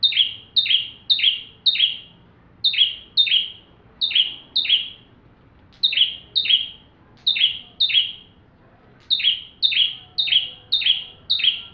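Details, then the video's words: Bar-winged prinia singing its full song, offered as tutoring for magpie-robins: long runs of loud, sharp, falling chip notes about twice per second, broken by short silences. "Burung ciblek tamu fulll gacor cocok untuk masteran murai batu"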